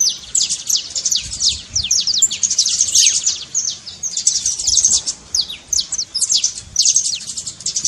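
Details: Saffron finch, known locally as canário-da-terra, delivering a trincado to set a quiet canary singing. Long unbroken flurry of shrill, rapid downslurred notes, loud and high throughout.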